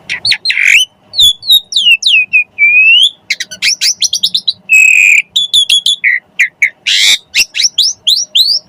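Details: Asian pied starling singing to prompt other birds: a fast, dense run of squawks, chattering notes and rising whistles, with a long harsh buzzy note near the fifth second, no other sounds.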